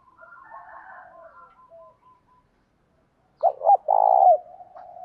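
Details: Decoy spotted dove in 'thổ pha' voice, calling to provoke rivals to fight: an opening of soft, higher, wavering notes, then one loud phrase of two short rising notes and a long burry coo.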